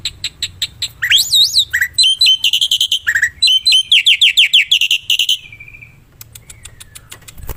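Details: Wild black-winged myna song: a lively, varied phrase of looping whistles, strings of quick repeated notes and a rising slur, trailing off into soft scattered clicks.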